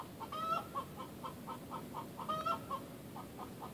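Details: Egg song from a Rhode Island Red hen, sung when she or one of her flockmates lays: two long rising squawks about two seconds apart, each trailed by a run of quick, evenly spaced clucks, with faint background hiss.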